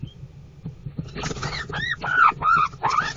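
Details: Adelaide rosella chicks at a nest box in a backyard garden on 2 February 2024, climbing to the entry hole. Soft low thumps are followed by a rapid run of arched, squeaky whistled calls, about four per second.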